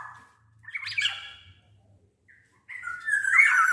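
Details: A loud Black-naped oriole, used as a lure so orioles will sing, gives one short harsh burst, then silence, then a long grating nasal squawk that rises in strength.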